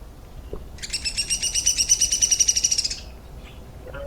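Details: Downy Woodpecker, a bark-clinging bird of Kentucky, singing its song: a rapid, high whinny of about twenty squeaky notes over two seconds, descending in pitch at the end, unlike the Hairy Woodpecker's.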